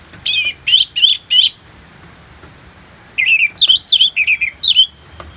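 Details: Orange-headed thrush (Anis Merah) singing in Bali: a rapid series of four loud warbled whistles, a pause, then a longer run of about eight varied, slurred and rising notes.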